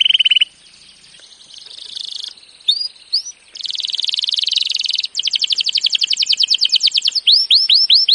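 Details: Canary training song with a short trill, soft hissing buzzy passages and scattered chirps, then a loud rapid rattle and a string of rising whistled swoops.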